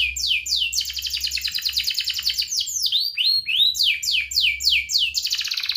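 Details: A canary pours out near-continuous ngerek-style song as a lure for young and lazy canaries: rapid rattling trills with falling slurred notes woven through, bright and high throughout.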